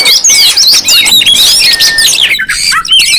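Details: Oriental magpie-robins calling boisterously as a lure for other magpie-robins: a thick weave of high swooping whistles and chirps, with one long steady whistle near two seconds.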